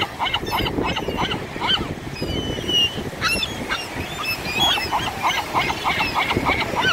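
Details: Seagulls squabbling over chips: a crowd of harsh, nasal squawks and yelps overlapping in quick bursts, some higher thin squeals, with a noisy outdoor background.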